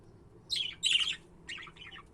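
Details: Pet budgerigars, more than one: three scratchy, buzzy chirps in quick succession, bright and high-pitched, the middle one loudest, with a faint low hum underneath.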